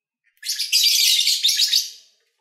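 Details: Single unbroken burst of harsh, hissing, very high chatter lasting about a second and a half from captive lovebirds recorded while eating, playing and singing, rising in and fading out smoothly.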